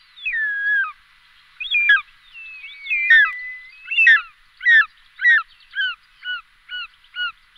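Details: Short-toed snake eagle calling: a series of clear, fluty whistled notes that slide downward, starting drawn-out and becoming shorter and more evenly spaced, about two per second by the end, over a quiet background.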